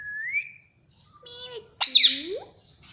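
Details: Pet parrot known for saying "mummy": opens with a rising whistle, then a flat voiced tone and a sudden harsh squawk, ending in a sliding, speech-like rising note.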